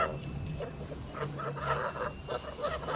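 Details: Farm-kept male Kholmogory goose, all white, aged nearly three months, uttering several short, harsh honks in two bursts, set against a faint steady high tone and low-frequency hum.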